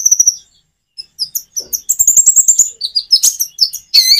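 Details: Common iora singing in a natural, pausing style to lure other birds into song: a quick string of high notes, a short silence, then dense chattering chips and trills that end in a rising high phrase.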